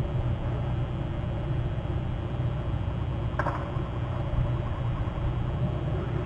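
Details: Low, constant engine-like rumble with a single faint click partway through; no animal voices.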